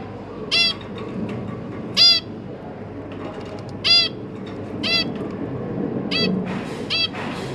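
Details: Zebra finch family of two parents and three newly hatched young at feeding time, 1 October 2022; loud nasal harmonic calls repeated singly every one to two seconds over a low background hum.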